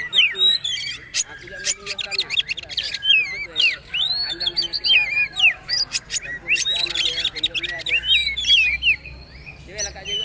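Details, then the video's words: Kacer/poci magpie-robin in trotol style, recorded as a master for birds to learn from: a long run of loud whistles, swooping slurs and harsh chattering bursts, continuous with brief gaps. "Masteran Kacer/Poci trotol agar ikut bunyi terbaru"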